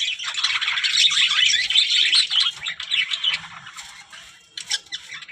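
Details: Budgerigars chattering in a loud, rapid run of squawky, buzzy warbles, easing off after a few seconds, then a sharp burst of chirps near the end.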